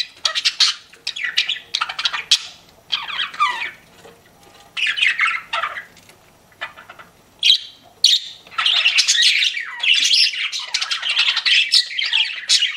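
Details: Pet budgerigars, several birds, chirping in bursts of bright, scratchy warbles and squeaks separated by short pauses, with quieter gaps between flurries of chatter.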